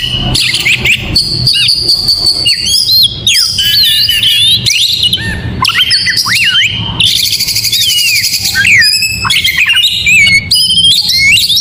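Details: Oriental magpie-robin singing in the morning in the lively 'gacor mewah' style: loud, rich whistled phrases with rising and falling slides, sharp chips and rapid trills, nearly continuous with brief pauses.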